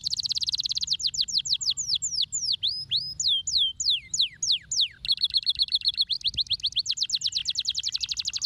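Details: Indonesian masteran recording of a canary: a buzzy opening roll, a series of sharp falling and swooping whistles, a steady humming roll and a rapid, even closing trill.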